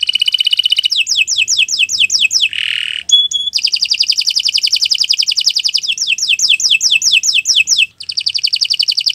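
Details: Canary song intended as a training model for other birds, mixing quick downslurred whistles, a short harsh buzzy note, and long fast metallic trills in varied phrases.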